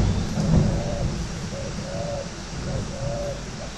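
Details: Captive spotted doves kept for cooing contests at a bird garden in Ba Vi, Hanoi, northern Vietnam, give a run of soft, arched coos, several short and a few drawn out, over a heavy low rumble.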